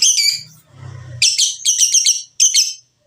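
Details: Lovebird chatter played to get lovebirds singing: short bursts of buzzy, scratchy high notes in quick clusters, with a low hum before them and a pause near the end.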